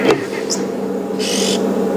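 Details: Oxpecker near its likely nesting hole in a tree above a safari vehicle, afternoon drive, 27 August, South African game reserve: a short, dry hissing rasp about a third of a second long, over a steady low rumble and faint chirps.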